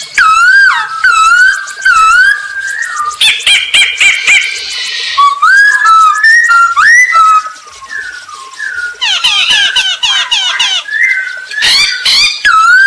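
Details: Vigorous song of a masked laughingthrush used to draw other birds into singing; a long varied sequence of looping whistles, rapid chattering bursts and rising slurred notes, almost without pause.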